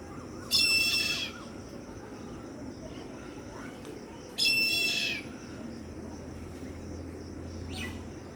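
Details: Young Indian grey hornbills calling: two loud, harsh, rasping screeches, each under a second long and about four seconds apart, then a brief faint third note, over a steady low background hum.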